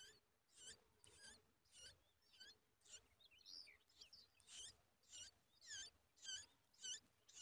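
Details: At a nest, a yellow-tailed bulbul pushes a big spider into its babies' mouths; harsh, high-pitched squeaky bursts repeat steadily, roughly twice a second, with a few softer twittering notes in between.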